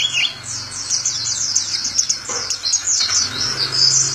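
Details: Caged Indonesian white-eye (Zosterops) sings a hurried series of high, thin chirps and downslurred whistles, repeated rapidly, above a noticeable low humming background noise.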